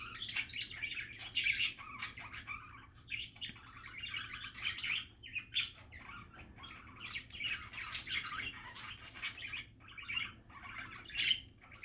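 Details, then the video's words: Budgies in relaxed, happy chatter, softer and farther off: a continuous mix of warbled chirps, twitters and occasional sharper squeaks. "Happy and relaxing budgie chatter"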